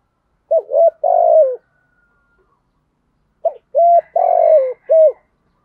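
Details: Spotted dove cooing to stimulate other doves, in a good native-style voice: a double note and a burry falling coo, then after a pause a fuller phrase of short notes, a long descending coo and a final flat note, with faint chirping.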